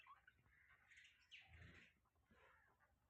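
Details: Budgerigars chattering in the morning, a faint, continuous jumble of scratchy warbles and chirps over background hiss, with a low thump near the middle.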